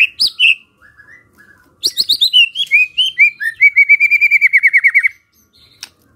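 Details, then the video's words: White-rumped shama singing to prompt other shamas to answer: high sharp opening notes, then a descending series of whistles ending in a rapid, even trill of about fifteen repeated notes. "pancingan murai batu ini bikin GAMPANG NYAUT murai lainnya"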